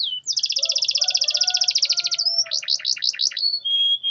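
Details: A canary sings to prompt silent canaries to sing. A long, rapid, even trill gives way to a slower series of buzzy notes, then a level whistle.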